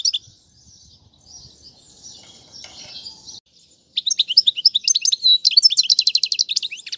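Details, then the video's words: Goldfinch song meant for teaching chicks: faint low background murmur for about three seconds, then a lively burst of high twittering notes that runs into a rapid, even trill. "أفضل تغريد الحسون"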